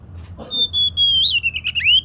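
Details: Oriental magpie-robin, a kacer, singing to lure a lazy bird into song: a long steady high whistle that breaks into warbled, sliding notes, rising and falling at the end.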